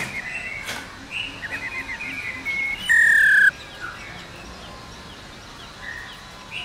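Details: Female black-throated laughingthrush with a 'ro ro' call meant to stimulate males: soft chattering trill notes over background hiss, then one loud pure whistle slurring downward, followed by faint notes.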